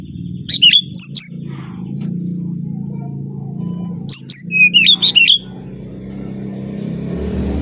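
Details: Brown-chested jungle flycatcher from Bali, song used to lure other birds: two short bursts of sharp high chirps and whistles separated by a gap, over a continuous low droning hum.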